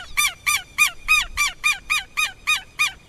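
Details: Southern lapwing repeating loud, harsh, ringing notes about three times a second in an even, insistent series.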